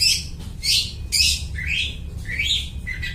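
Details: Long-tailed shrike mimicking other birds, a lure recording for trapping: loud, varied chirps and squeaky notes, several sliding downward in pitch, delivered in an uneven sequence with brief gaps.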